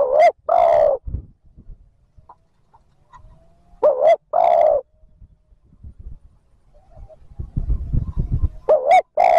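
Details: Loud repeated coos of a spotted dove, used to provoke wild doves into answering: three phrases of a wobbling two-part note plus a drawn-out hoot, roughly four seconds apart, with faint rustling between.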